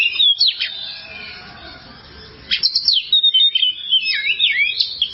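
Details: Oriental magpie-robin singing in a long tutor track for caged birds: clear whistled notes and a steep sweep, a two-second pause, then rapid chattering phrases and a long descending slurred whistle.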